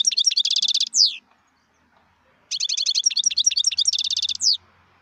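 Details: Wild European goldfinch singing: two bursts of rapid high twittering notes with a buzzy trill, each ending in a sharp descending slurred note, separated by about a second and a half of silence.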